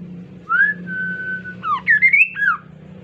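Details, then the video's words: Energetic song of the insect-eating Kaso-kaso bird, used to coax other birds to sing: a rising whistle flowing into a long even tone, then a rapid run of swooping notes climbing upward before a final downslur. "KASO KASO GACOR COCOK UNTUK PANCINGAN BIAR IKUTAN GACOR JUGA"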